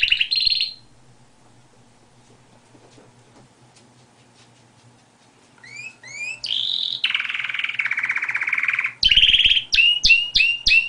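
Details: Canary giving a brief trill, then falling silent for several seconds before resuming with quick upswept notes, a long rolled tour that steps lower, and a run of sharp repeated double chips.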